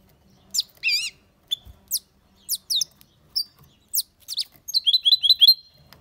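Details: European goldfinch singing, with separated sharp descending chirps and a wavering twitter, ending in a quick burst of rolling, trilled notes; quiet pauses between the phrases.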